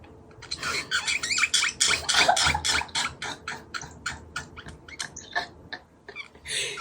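A parrotlet gives rapid, raspy, broadband squawks in a quick stuttering series, about three to four per second, like a chattering laugh.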